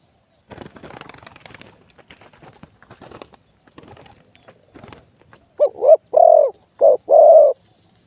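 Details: Spotted dove used as a decoy bird in dove trapping, noted for a very big voice: after several seconds of rustling and scraping, four deep, rounded coos come in quick succession, the second and fourth longer and fuller.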